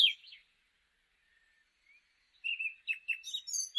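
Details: Eurasian blackcap song, UK: a brief high note, a pause, then a rich, fast, varied warble of clear fluty phrases, with no other clear sounds.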